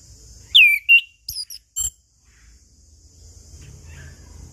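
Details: Chestnut-capped thrush phrase used to coax silent birds into song, morning, noon and evening; one strong downward-sweeping whistle followed by quick high chips, then only a high hiss.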